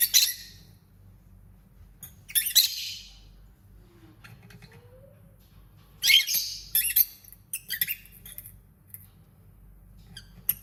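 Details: Lovebird giving scattered bursts of harsh, high squeaky chirps and chatter separated by quiet gaps, a low faint hum underneath throughout, with one soft lower sliding note in the middle.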